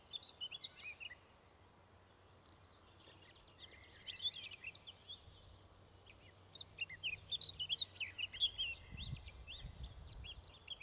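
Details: Eurasian skylark song in bursts: high rapid chirping warble, a pause, then a louder tumbling trilled stretch, with some low rumbling noise near the end.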